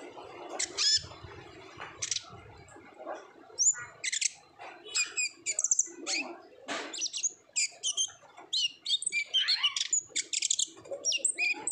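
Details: Olive-backed sunbird in fast ngobra-style song, meant to prompt other sunbirds to sing: scattered scratchy notes that build into dense, rapid volleys of shrill chirps and twittering trills.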